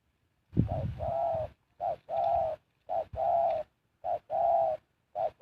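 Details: Spotted dove used as a decoy to lure wild birds, cooing in low, mellow phrases. A brief coo is followed by a longer drawn-out one, and the pair repeats about once a second. Soft low thumps are heard at the start.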